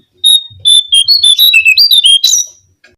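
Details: Brown-cheeked fulvetta lure song: one drawn-out whistle, then a lively phrase of quick, clear notes that wobble up and down and end in a thin, falling slur. The background is quiet.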